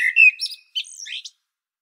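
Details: On Medvednica Mountain near Zagreb, Croatia, a common blackbird delivers a short fluted phrase, rich and mellow, breaking into scratchy high twitters; recorded with a Panasonic Lumix DC-TZ90.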